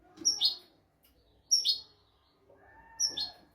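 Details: Royal-style European goldfinch tutor song for goldfinches and canaries: three brief bursts, each a thin high whistle slurring into a rasping twitter, spaced about one and a half seconds apart.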